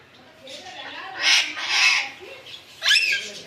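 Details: Alexandrine parakeet kept as a pet indoors: three loud, harsh, broadband squawks, each about half a second long, spaced over three seconds, with faint background noise between them.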